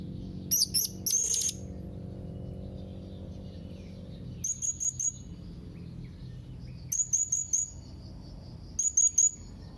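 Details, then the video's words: Young blue-crowned hanging parrot calling to challenge rivals: very high, shrill chirps in tight bursts of three to four notes, repeated every two to three seconds over a steady low hum. "SERINDIT MUDA GACOR MEMANGGIL LAWAN"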